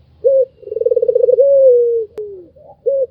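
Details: Barbary dove, white form, delivering one laughing call: a brief coo, a fast stuttering pulsed stretch, then a drawn-out gently falling note, with a short coo closing it and a click partway through.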